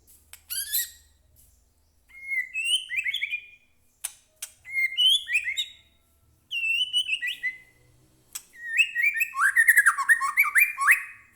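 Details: Agitated murai batu (white-rumped shama) song used as a lure: short harsh bursts and several two-part whistled phrases, building to a long, dense rattle of rapid varied notes.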